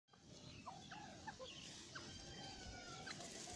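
A francolin gives a run of short, clucking notes, about three a second, over a steady hiss of background noise.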